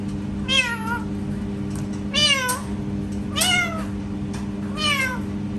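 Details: Parrot imitating a cat, giving four meow-like calls, each a sliding, nasal, harmonic wail that dips and rises, spaced about every one and a half seconds, over a steady low indoor hum.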